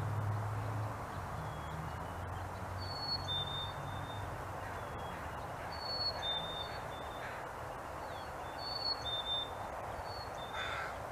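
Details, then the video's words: Black-capped chickadees singing their fee-bee, or cheeseburger, song to each other: clear two-note whistles, a higher note sliding to a slightly lower one, repeated about every three seconds over a steady low rumble. "Chickadee Singing fee-bee/cheeseburger Call"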